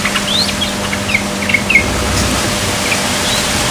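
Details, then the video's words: A young yellow-vented bulbul only just learning to sing gives scattered, thin chirps and short upslurred notes, soft and unformed, over steady background hiss and a low hum. "Suara Burung Trucukan Yang Baru Belajar Berbunyi"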